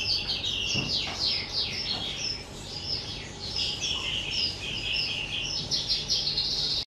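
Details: Two-year-old pet skylark, recorded 18 April 2023, singing a continuous, rapid, high-pitched warble of chirps, trills and quick sweeping notes with barely a pause, over a faint low background hum.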